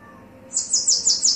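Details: Male and female Bananaquit: a quick burst of five buzzy, very high, down-slurred notes in under a second, bright and loud.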